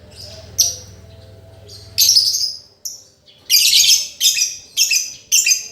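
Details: Lovebird song used as a master recording to teach a lovebird that stopped singing: quiet low hum at first, then scattered harsh chirps, building into a run of loud, raspy chattering bursts near the end.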